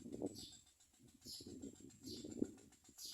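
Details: Common myna chicks being fed by their mother, giving thin, high, downward-sliding calls about once a second, with soft low rustling and thumps in the nest.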